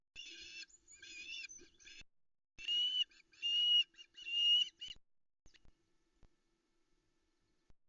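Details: At dawn in misty light on 13 August 2020, a female Osprey waits on the Loch Arkaig nest for a male to bring fish. Harsh chirps give way to three drawn-out whistled notes, then near silence.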